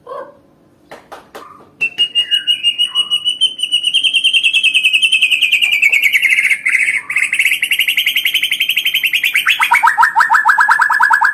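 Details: White-rumped shama singing to provoke rival birds: a few scattered clicks, then a long, rapid trilling rattle held high and gently falling, ending in a lower, faster trill.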